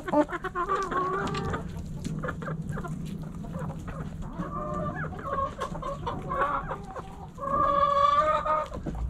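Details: Backyard hens cluck in a busy flock, with short repeated clucks and several longer, nasal, slightly rising calls, one louder drawn-out call near the end over a constant low hum.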